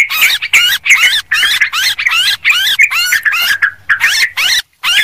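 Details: Sooty-headed bulbul calls for luring birds, a busy sequence of about a dozen short, bubbly, looping phrases, each separated by a brief gap, with one longer pause near the end.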